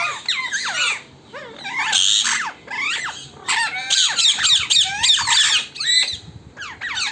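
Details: Wild parrots at a home during their evening gathering, rapid bursts of shrill rising and falling squawks from several birds, chorus swelling and dropping in waves with brief lulls.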